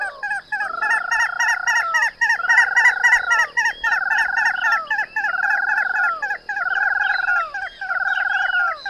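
Ash-throated crake giving a harsh, nasal chatter: drawn-out grating notes repeated about once a second with short clucks between, over a steady high insect hiss.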